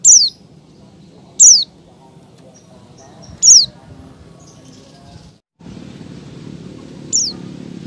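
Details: Breeding female Oriental white-eye calling to males, giving four high, sharp descending notes at uneven intervals, with a brief gap and rising background noise near the end.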